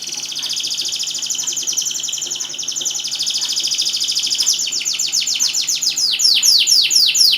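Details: Lively canary song meant to prompt non-singing canaries to start: a long, rapid, rolling high trill that shifts into louder, sharply repeated down-slurred notes in the last seconds.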